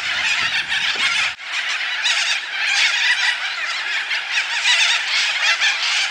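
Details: Corellas in Coffs Harbour, Australia, feeding on African tulip tree seeds, screech without pause in a harsh, raspy chorus from several birds, with a low rumble under the first second.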